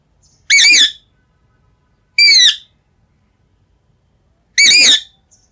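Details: Green rose-ringed parakeet uttering three loud, harsh wavering squawks, each under half a second, spaced roughly two seconds apart in a quiet room.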